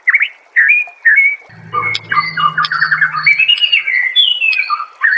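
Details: White-rumped shama master song intended to set other shamas singing: a few loud whistled notes, then a fast jumble of chattering and warbling phrases, with a low humming tone in the background for a couple of seconds.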